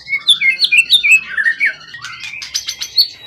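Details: Wild-origin competition bird with a 20 cm tail, long kept in captivity, calm and in top form. It sings a fast string of varied whistled slurs that rise and fall, then shifts to higher, buzzier notes repeated several times a second.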